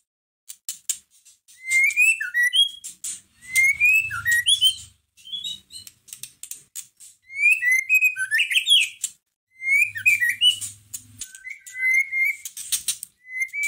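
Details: Caged white-rumped shama song played to provoke another shama into singing: continuous varied whistled phrases, sharp upsweeps and clicking notes in repeated bursts with short pauses.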